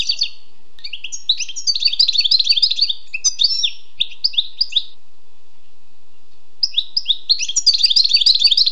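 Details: Wild European goldfinch delivering lively twittering song: dense runs of bright chirps and buzzy notes, a few spaced calls, a silent gap, then another rapid tinkling burst.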